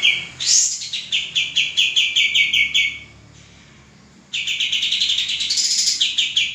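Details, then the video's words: A male common iora used for training cage birds repeats rapid high chirps in a fast run, falls silent for about a second, then resumes with another brisk series of the same ringing notes. "suara burung kapas tembak jantan gacor"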